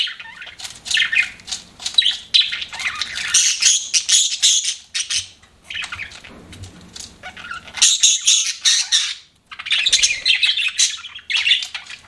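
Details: Pet budgies giving scratchy chirping bursts and warbled chatter, broken by quieter gaps, the calls high and raspy.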